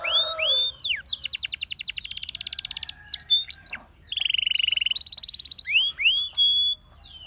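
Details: Canary, Russian singing type, in song to attract other canaries: varied phrases of low warble, fast rattling trills, flat buzzy tones and sharp rising whistles, ending abruptly into quiet.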